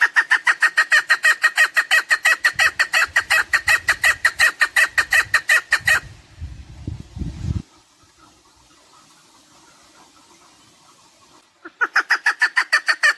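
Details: Chukar partridge call for hunting use: a long, even series of loud harsh chuk notes, with low thumping noise near the end, then several seconds of near silence before the rapid calling returns.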